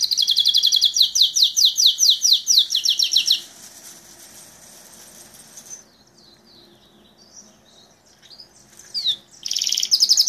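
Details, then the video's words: Belgian canary song opening with a loud, rapid rolling trill of sharp repeated notes for about three seconds, then near silence with scattered soft notes, and a final burst of trilling. "Canario belga salsa"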